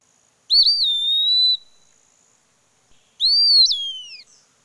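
An Eastern Wood-Pewee gives two clear, sweet whistled notes: a sliding, plaintive 'pee' held level, then a rising-and-falling 'per'. Nothing else is heard.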